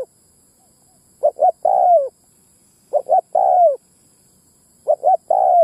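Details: Spotted dove lure call meant to attract both sexes, three clear cooing phrases of two short notes and a drawn-out descending coo, spaced roughly two seconds apart with near silence between.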